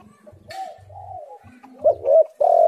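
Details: Spotted dove, tekukur or derkuku, in a recording used as a lure to prompt singing: soft faint cooing at first, then two clearer short coos and a final loud sustained coo, with low thumping sounds and a brief hiss.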